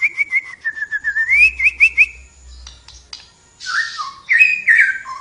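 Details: Flowerpecker singing vigorously, pouring out a rapid, steady string of short, bright, upslurred notes that climb slightly, then a rushing noise and a few looser twittered whistles.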